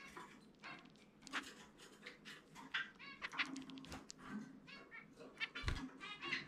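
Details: During free-flight time a pet zebra finch delivers its unusual 'chumi chumi pe' song: a steady stream of nasal buzzes and clicks with a low thump midway.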